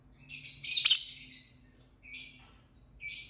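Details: Lovebird chirping and singing, a loud rasping burst of high squeaky chirps followed by two softer buzzy chirps after pauses.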